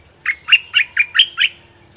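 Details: Fully moulted bulbul, locally called nok dok taeng, sings an all-double style phrase: six quick bright chirped notes, each dropping in pitch, evenly spaced over about a second, quiet background.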